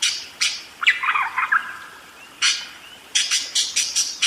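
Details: Budgerigar giving a lively, continuous rolling song: harsh, raspy broadband chirps, a lower warbling chatter near the first and a half second, then a quick run of scratchy notes after a short pause.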